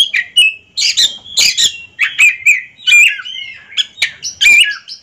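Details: Two ringed Oriental magpie-robins, caged birds, dueling in song: varied quick phrases of scratchy chirps, clear whistles and slurred notes, rising and falling, delivered in bursts about every half second with brief gaps.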